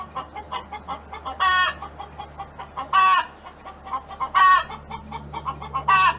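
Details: Neighbour's hen singing on a farm: quick soft clucks about three per second, broken every second and a half by a loud, drawn-out, harmonic call, four such calls in all, over a faint low hum.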